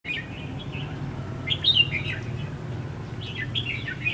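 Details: Red-whiskered bulbul giving fighting song as a decoy for trapping on the first day of the 2016 Lunar New Year: short warbled, chirping phrases in bursts about two seconds apart over a low rumbling background.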